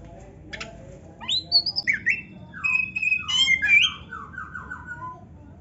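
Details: Oriental magpie-robin singing a richly varied 'gacor full isian narung' song used as a training master: after a faint buzzy note, clear whistles slide down and up, then a burst of rapid high notes and falling whistled phrases.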